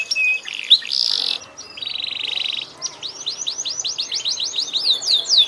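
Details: Canary singing: a short whistled note, a buzzy trill, then a long run of rapidly repeated descending sweeps, with faint background noise.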